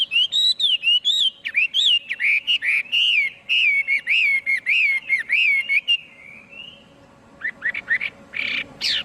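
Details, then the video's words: Clean recording of a hwamei's song: rapid repeated slurred whistles in a steady stream, then a softer drawn-out note, a short pause and a burst of high, emphatic notes. "Tiếng chim hoạ mi hót không tạp âm"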